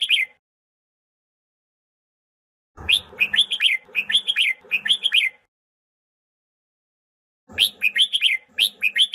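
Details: Red-whiskered bulbul fighting song, used to train birds and provoke them into song: short bursts of loud, lilting whistled phrases of quick rising and falling notes, each burst lasting two to three seconds, separated by silence.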